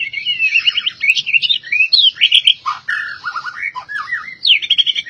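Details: Albino white-rumped shama singing a dense, continuous medley of whistles, trills and squeaky notes, rising and falling quickly, with a bright repeated trill toward the end.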